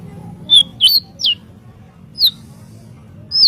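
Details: White-rumped shama, master audio for training songbirds: sparse high sharp notes, some with quick downward slurs, spaced by short silences over steady low background hum.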